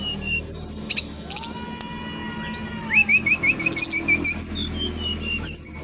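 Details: Brown-chested jungle flycatcher originating from Bali, kept at a bird kiosk and singing vigorously: a low drawn-out whistle, then a quick run of rising, looping notes, among short high chips and metallic trills from other birds.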